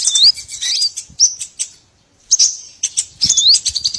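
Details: Small birds on a lure track for trapping, with scattered high chirps and a few clear upward-sweeping whistles, a quiet gap near the middle, then more sweeps and twitters.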